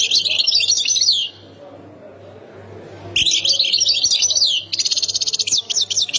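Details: Algerian European goldfinch from Khemis Miliana, Ain Defla, sings bright, dense twittering phrases. After a silent gap, a second phrase passes into a quick repeated trill.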